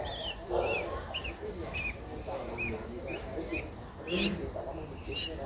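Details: Nestling Streak-eared Bulbul aged 12 days, eyes open since day seven, in Ubon Ratchathani, Thailand, April 2023. Bright arched chirps, some falling and some rising, repeat roughly every half second against low background noise.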